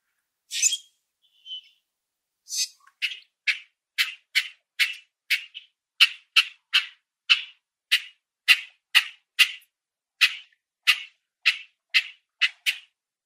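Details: Common Grackle in a backyard or on a nature walk, giving a long series of harsh, metallic chack notes, roughly two or three per second, after a couple of rasping squeaks; no other sounds.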